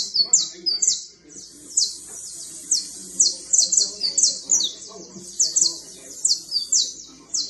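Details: Fine creole canary trilling with high, downward-slurred notes delivered in fast runs and short separated bursts, bright and rhythmic, with faint low background noise.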